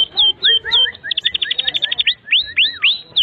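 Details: Canary song used to tutor young canaries: looping slurred whistles, a quick run of chirps and curling downward notes, with softer lower notes mixed in.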